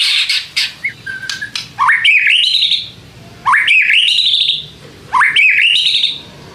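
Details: Lure song of a white-rumped shama, used to make reluctant shamas respond: after scattered chips, three loud whistled phrases, each rising in steps to a sustained high note, spaced about one and a half seconds apart.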